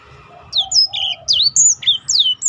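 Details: Black-throated canary singing to encourage other birds, giving a brief phrase of loud, clear downslurred high whistles after softer low notes.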